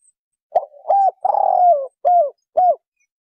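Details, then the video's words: Spotted dove (Streptopelia chinensis) giving a soft, low coo phrase: two short hoots, a longer rolling coo, then two more brief hoots, evenly spaced. "珠頸斑鳩/Spotted Dove"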